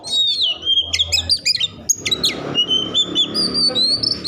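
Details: Agitated Oriental magpie-robin singing to spur rival magpie-robins: long sweet whistled notes mixed with rapid clicking chirps and high sliding phrases, over a low background hum.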